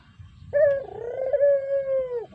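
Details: Spotted dove song used as a lure. A single sustained, mellow coo lasts nearly two seconds, wavering slightly and then dropping at the end.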